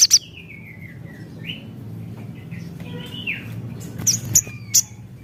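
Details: Lure song of a Javan cochoa, meant to stimulate other birds: long thin descending whistled notes with small wavering slurs, followed by a few sharp high chips.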